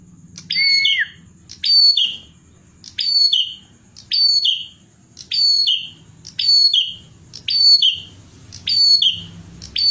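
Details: Bar-winged prinia singing lively for birdsong tutoring: the first phrase starts with a lower, sliding whistle, then high, sharp descending chirp phrases repeat about every second, with a thin steady high whine and low rumble behind.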